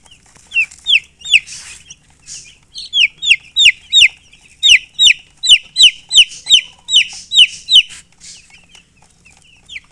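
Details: Baby chicken chicks chirping: bright, high descending peeps in quick irregular bursts, several birds overlapping, with short gaps and a faint hiss between calls.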